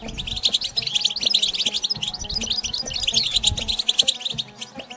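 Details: European goldfinch singing the twittering style called batbata, recorded in nature: dense, continuous run of rapid high chirps and tinkling trills, with a few buzzy notes, over a faint low steady hum and soft regular ticks.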